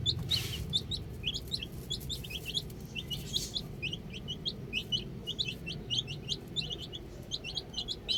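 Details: A flock of baby chicks outdoors, chirping busily, with dense, quick, high peeps overlapping almost without pause, a few soft knocks and low rumble underneath.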